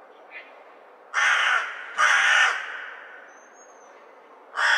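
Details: Crow giving loud, hoarse caws over a quiet background: two broad raspy calls about a second apart, a faint thin whistle, then another caw at the end.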